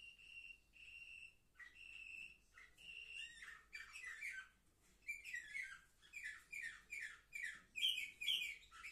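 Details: Young canaries, seven months old, recorded 10 November 2023. The song opens with steady whistled notes repeated about once a second, then breaks into fast, chattering trills and bright chirps.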